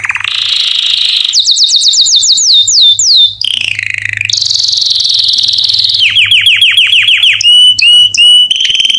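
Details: Canary tutor song for young canaries: a buzzy roll, a run of bright falling whistled sweeps, a harsh rattle, a high steady roll, fast dropping notes, then looping whistled flourishes.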